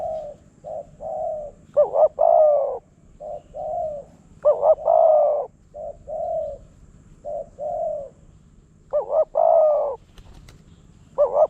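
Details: Wild spotted dove in Phrae, Thailand, responding fast and fiercely to a decoy. Soft, low coos alternate with loud phrases of a tremulous double note plus a long mellow croon, repeated roughly every two to three seconds.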